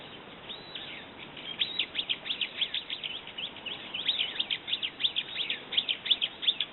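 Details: Brown-eared bulbul chattering steadily: a long run of shrill, downslurred high notes, about three per second, loosening and tightening in rhythm.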